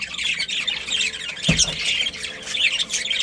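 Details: Colony of pet budgerigars in unbroken high chirping and scratchy warbling, interrupted by a single low knock halfway through.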